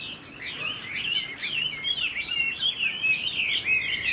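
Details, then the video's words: Young Chinese hwamei of this year, a good singer that flicks its tail, sings a dense stream of high whistled slurs, each phrase swooping up and down, almost without pause in a quiet setting. "Họa mi chuyền năm nay, cực kỳ tố chất, vẩy đuôi khướu, hót tốt"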